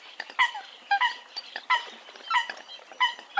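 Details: Eurasian coot calls: short, nasal, bent harmonic notes about twice a second, some doubled, with quieter clicks between them.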